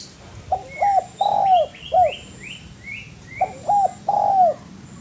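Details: Spotted dove cooing for bird training: two phrases of clipped hoots and a long arched coo, while another small bird gives a rapid series of high rising chirps between them.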